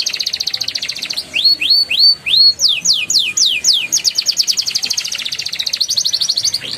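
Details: Canary song used as a prompt for young canaries: fast buzzy trills at high pitch, then slower rising-falling swept whistles repeated about four per second, returning to rapid rolling trills.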